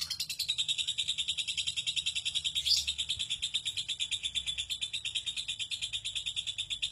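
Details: Long lovebird ngekek trill of the kind bred for song contests: a sustained rapid stream of high, rattling pulses, even in pace and volume, running without pause across the whole stretch.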